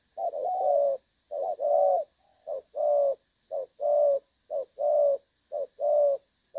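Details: Spotted dove calling as a trapping lure, 16 August 2024, in the clear "đồng son" voice: a rhythmic series of deep coos, a brief note followed by a fuller sustained one, repeated without break.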